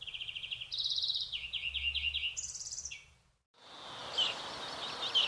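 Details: European greenfinch in Córdoba delivering a run of rapid trills that step between pitches, each phrase a quick rattling series, followed by scattered twittering and louder background noise.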